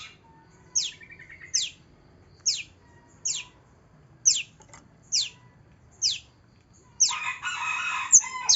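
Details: Long-tailed shrike lure song, meant to get a silent shrike singing: sharp, high downslurred notes repeated about every 0.8 seconds, ending in a harsh, scratchy, noisy burst of sound.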